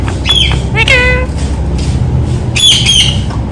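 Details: Pet rose-ringed parakeet, said to be talking "Mitthu Mitthu": harsh squawky syllables, a short rising-and-falling harmonic phrase near the middle and another raspy burst near the end, over a constant low rumbling background noise.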